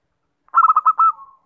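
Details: Zebra dove call for luring birds: a single phrase of quick stuttering coo notes, four or five short pulses followed by a longer sustained note that trails off softly, with no other sounds.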